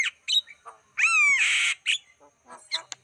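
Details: Javan myna lure recording used to attract wild birds: harsh broadband squawks and chattering notes, then a long rasping burst with a rising whistled overtone near the middle, followed by scattered short chips.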